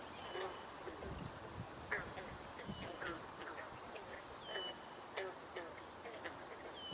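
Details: A Red-winged Blackbird on a 1 July 2023 tour gives short, sharp chack notes and a thin, high slurred whistle roughly every two seconds, sounding almost like an alert call, the only one doing it, with people talking nearby.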